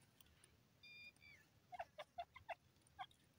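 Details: Grey francolin, known locally as dakhni teetar, calling: a brief drawn-out tonal note, then a quick run of about seven short, harsh, clipped notes spaced roughly a quarter second apart, over a quiet background.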